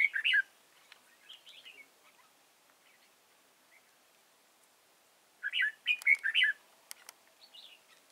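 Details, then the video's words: Red-whiskered bulbul kept as a trapping decoy in Vietnam, 31 March 2018, giving short warbled phrases of bright, rolling notes separated by quiet gaps, with a longer burst later and faint clicks in between. "Bẫy chào mào Chùa hương cánh bướm"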